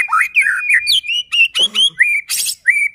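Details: White-rumped shama in full song, played as a lure to provoke other shamas: rapid varied whistles and rising, falling slurs, with a harsh buzzy burst midway, phrases pulsing several times per second.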